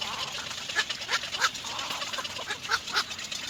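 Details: Little egret chicks in their nest, waiting for the mother to return with food, giving rough, harsh rasping calls in irregular bursts, several per second, with background noise.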